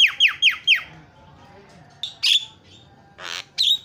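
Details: Jalak kebo, the Javan myna, giving isian fill-in sounds for training: four quick descending whistled notes, then isolated loud harsh squawks with short gaps.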